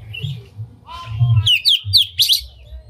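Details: Oriental magpie-robin singing a unique lure song with its tail spread, used to excite other magpie-robins into singing. Low murmuring sounds come first, then a run of bright, sharply slurred whistles and chips in the second half.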